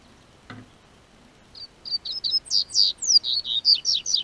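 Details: Spring song of a Double-collared seedeater in Brazil's South Region with warming weather. After one dull knock, a quick run of bright, high whistled notes begins and continues steadily, several swooping downward.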